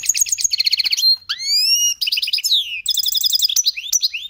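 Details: Caged goldfinch × canary hybrid (mixto) singing up close in cold weather, a song it copied since young: rapid trills of repeated notes, buzzy runs and rising slurred whistles, continuous and loud throughout.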